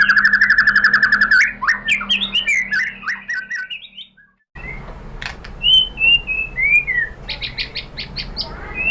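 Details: White-rumped shama song used to provoke other shamas to sing: a rapid run of repeated notes, then tumbling whistled slurs, a brief silence, and clear rising and falling whistles ending in quick repeated chips.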